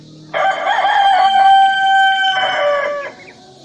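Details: Cock-a-doodle-doo from a rooster: a loud, clear crow of almost three seconds, starting abruptly, holding a level rich tone, then dropping slightly in pitch before stopping.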